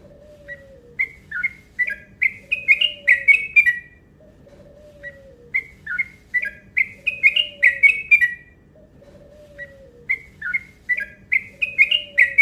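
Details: Yellow-vented bulbul lure call in long, fast phrases: three rising series of chirpy notes, each climbing in pitch and tempo over about three seconds and separated by short pauses, with a low sliding whistle repeating underneath.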